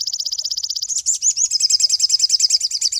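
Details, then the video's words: Cinereous tit singing as a master recording for songbird training: a rapid, even, high-pitched trill that shifts into looser, warbling, rolling notes at the same quick pace. "MASTER SOGON SUPER ISTIMEWA"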